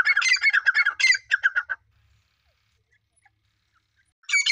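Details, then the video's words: Dakhni grey francolin hen gives a rapid burst of rasping, squawky notes lasting about two seconds, then falls silent before a new burst starts. "Dakhni pure teetar madi awaz"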